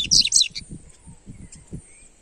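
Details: Double-collared seedeater (coleiro) song used to warm up a kept bird: a short, loud burst of high, rapid chirped notes at the start, then quiet with faint low rumbling background noise.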